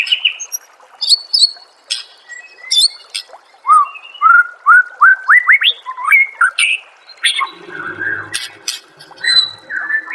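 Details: White-rumped shama song used as masteran: high chips, then a series of loud rising whistles repeated about every half second, followed by varied warbled phrases and a low hum in the background.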